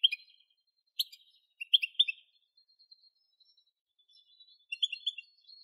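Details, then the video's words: A goldfinch's soft, scattered chirps and twittering phrases come in small clusters, with thin faint notes between them. "Most sweet goldfinch singing | Goldfinch singing"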